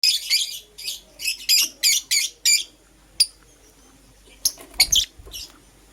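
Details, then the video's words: Green Personata and Yellow Pastel Pied lovebirds in the morning give high, shrill chirps in quick bursts, about eight close together in the first two and a half seconds, then a pause and a few more sharp notes. "Lovebird Chirping Sounds - Green Personata & Yellow Pastel Pied"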